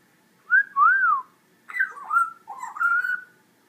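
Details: A 14-week-old female African grey parrot, finding her voice, gives two clear, mid-pitched whistles that rise and fall, then a rougher, wavering run of whistled notes, in a quiet room.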